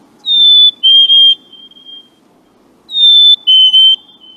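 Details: Two Black-capped Chickadees, perhaps a duet or two competing males, give clear whistled fee-bee songs, a high note dropping to a lower, wavering one. The song is used to attract a mate or declare territory.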